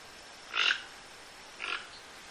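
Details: Toco toucan calling with two rough, grunting croaks about a second apart, the first louder and fuller than the second, over a quiet hissy background.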